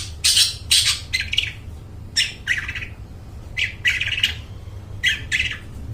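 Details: Long-tailed shrike song intended for luring and training mute shrikes, a series of rasping, noisy chattering notes in pairs and short groups with gaps between, steady low background hum.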